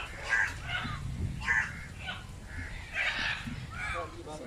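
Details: Macaw parrot in a group giving harsh, hoarse squawks in short bursts roughly every second, some rasping and nasal, with soft low background rumble.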